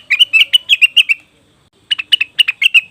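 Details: Lure recording of a leafbird, named cucak wilis or rengganis: a fast volley of sharp chirps, a clear gap of silence, then another short chirping volley.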